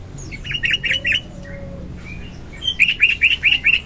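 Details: {'text': 'Sooty-headed bulbul in full morning song, offered as a lure and filler for training. Two bursts of rapid, chattering whistled notes are separated by a quieter pause with a faint low tone.'}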